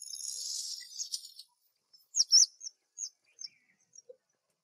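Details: A black drongo in spring: a hissing, rushing noise opens, then loud squeaky chirps followed by a few sparse short notes.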